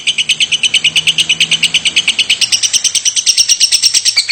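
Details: Lovebird making its continuous coughing call without pause; rapid, even, high-pitched raspy chips repeated about three times a second throughout, with a faint low hum in the background.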